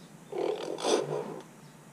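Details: A pet common hill myna, recorded on 17 October 2021, gives one harsh, low, throaty call lasting about a second, with a louder raspy burst in the middle. Little else is heard.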